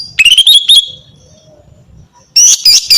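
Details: Female greater green leafbird calling males with song: a quick stuttering phrase of rising whistles, a second of silence, then a cluster of loud harsh notes.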